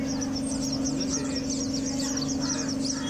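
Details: Several sparrows at a home chatter in quick, overlapping high chirps, two or three each second, over a loud, steady low mechanical hum.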